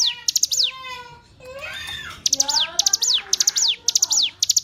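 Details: Hill prinia song from a training recording for captive songbirds. Repeated high clipped note bursts with falling tails are mixed with another bird's lower, rising and falling whistled notes.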